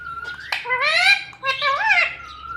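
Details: Talking pet parrot in a room producing two drawn-out, nasal speech-like phrases with rich harmonics and bending pitch, framed by a steady high whistle-like tone.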